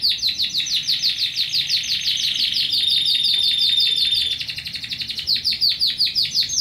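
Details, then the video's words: Timbrado canary recorded in Athens, Greece, in 2010 during pre-training selection: a long, rapid pulsing trill of chopped notes, rhythmically repeated, briefly smoothing into a continuous roll before resuming the beaded pattern, over a low constant hum. "Timbrado 2010 R1 TrainingB"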